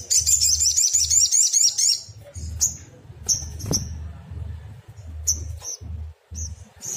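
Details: Lure song of an agitated Brown-throated Sunbird: a fast, piercing high trill lasting two seconds, followed by spaced, clipped high-pitched chips, over a continuous low hum.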